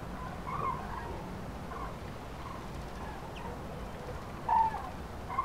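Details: Migrating common cranes passing over central France in early March 2016, afternoon, with flocks scattered by bad weather. Faint, far-off rolling trumpet notes sound at the start and again more loudly near the end, over continuous low wind noise.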